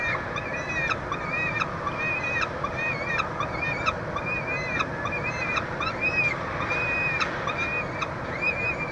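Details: Chick feeding at a peregrine falcon nestbox on a University of Montreal building, Quebec, Canada, 22 June 2023. Grating, bent calls with strong overtones repeat roughly once a second above constant low background noise.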